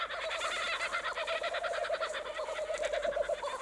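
Kookaburras chuckle in a fast, steady run of throaty, mid-pitched hooting notes, several per second, that rolls on without a break.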